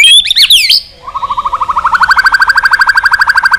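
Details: Fired-up white-rumped shama singing to rouse weaker birds into song duels: a few sharp, tumbling whistles, a brief pause, then a long, fast, even trill of repeated notes that grows steadily louder.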